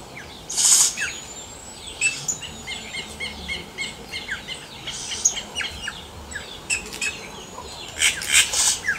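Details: Song of a wild yellow-rumped cacique: clusters of sharp ticks, whistles and crackling rasps repeated irregularly, over a steady high insect-like buzz and other distant chirps.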